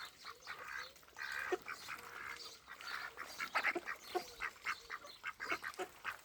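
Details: Ducks and ducklings at a pond in Wales on 23 May 2026, a busy chorus of short nasal calls and soft peeps overlapping in quick succession, with a steady background hiss.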